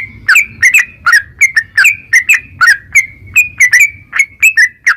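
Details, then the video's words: Yellow-vented bulbul in a cage calling in 'narung ropel' style to prompt other birds to sing: brisk paired whistled chirps with sharp clicks, steady through the recording over a soft low hum. "trucukan gacor NARUNG Ropel perangsan burung trucukan agar cepat bunyi dan gacor"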